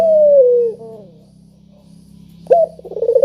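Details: End of one spotted dove coo, a long gently falling tone with a soft trailing note, then a pause before a new phrase starts with a sharp clear note and rapid pulsed coos; a low hum runs throughout.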